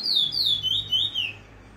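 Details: A bullfinch in free song delivers a short phrase of three or four gliding whistled notes, wavering downward in pitch, then falls silent.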